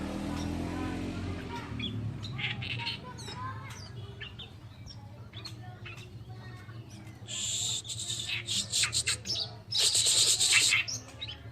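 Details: Oriental reed warbler, locally called kerakbasi alis putih, recorded as a masteran training song: loud harsh, grating chatter bursts toward the end, earlier softer scratchy notes over a steady low hum.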